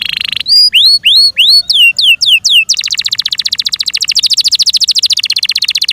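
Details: A cared-for Yorkshire canary gives a brief buzz, then eight swooping notes that rise and fall. These lead into a rapid, rolling high trill held for about three seconds.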